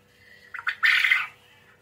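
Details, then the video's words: Quail calling actively (gacor): two brief upward notes, then a loud, harsh, grating rasp about half a second long, ending in a faint trailing note. "Burung Puyuh ( Manuk Gemek ) Gacor"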